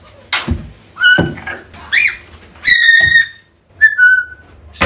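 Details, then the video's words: Lost-bird recall calls of an African grey parrot: sharp clicks and harsh squawks interspersed with steady mid-pitched whistles, one falling slightly, in an irregular sequence indoors. "AFRICAN GREY SOUNDS CALLING"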